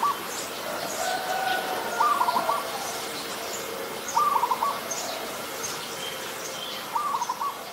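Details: Adult zebra dove in Ubon Ratchathani, Thailand, on 28 December, giving short bursts of rapid, stuttering coos repeated about every two to three seconds, three phrases in all, over faint high chirps of other birds or insects.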